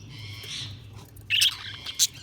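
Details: Budgies chirping: a soft warbling murmur in the first half second, then a loud burst of sharp, bright chirps just past the midpoint and one more high chirp near the end, over a low steady hum.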